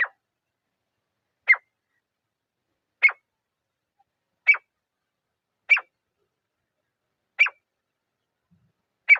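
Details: Grey francolin (teetar), a pair, in a still forest setting: a steady series of single clipped, sharp notes repeated roughly every one and a half seconds, seven in all, against silence.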